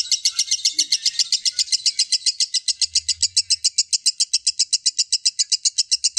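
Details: Lovebird in long ngekek style, a rapid chattering trill used as therapy to prompt other lovebirds to sing: sharp high chirps repeated about four per second, steady and even throughout, with no other clear sounds.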